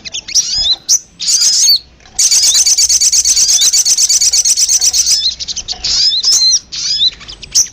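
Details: Sogon (ruby-cheeked sunbird) lure sound: sharp high chirps and thin descending whistles, then a long, fast, buzzy trill of tightly repeated notes lasting about three seconds, followed by more scattered high chirps.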